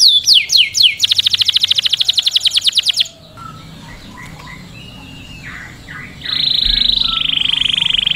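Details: Canary singing for mating: a few quick down-sweeping notes lead into a rapid, even trill lasting about two seconds, then scattered softer chirps, and finally a long, loud, buzzy high-pitched trill.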